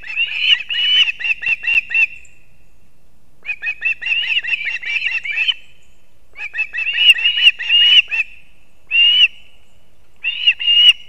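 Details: Male osprey bringing two fish together to nestlings in Kurzeme, Latvia, dawn of 3 September 2024: several bursts of rapid, high chirping whistles, each lasting a few seconds, broken by short quiet gaps.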